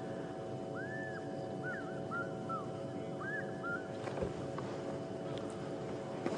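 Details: A distant African fish eagle calling near a dam on a sunrise safari drive on 4 May 2015 gives a long ringing whistle, then a quick string of shorter yelping notes, over a steady engine hum.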